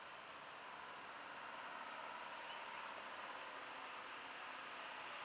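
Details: Steady broadband rumble like distant traffic or an idling engine fills the whole recording, with no animal calls standing out.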